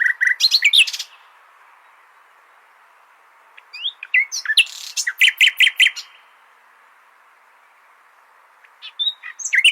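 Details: Common nightingale singing, used to teach goldfinches their song. A fast varied phrase of sharp notes opens, then a long silence, then a stuttering build into rapid repeated notes, and another phrase begins at the end.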